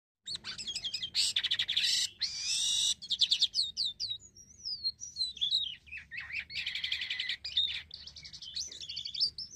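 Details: Black-winged myna singing actively, recording used to lure other birds into calling; dense, varied run of sharp whistles, chattering trills and harsh rasping notes, loud and nearly continuous with brief pauses.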